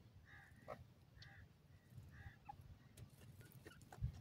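Grey francolin giving harsh, nasal two-part notes, repeated about once a second.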